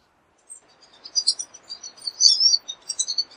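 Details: Pine siskin giving soft, scattered high chirps and twitters that build into a quicker warbling run, over a faint background hiss.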